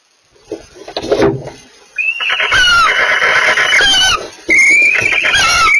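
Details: Barn owls mating give harsh, hissing shrieks in two long drawn-out bursts, with thin squealing tones running through the rasp; a few softer scuffles come first.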